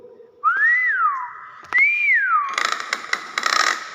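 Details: Common hill myna whistling two pure, arching notes, each rising and then gliding down. The second note is followed by a burst of scratchy noise.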